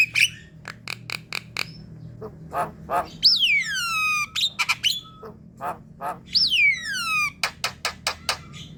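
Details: Javan myna sounds meant to attract a flock: clicky staccato notes and harsh squawks around two long, sweeping whistles that slide steeply downward.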